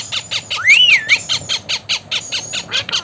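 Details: Blue Indian ringneck parakeet repeating short, harsh squawks about four times a second, with one loud, wavering whistled note rising then falling in the middle.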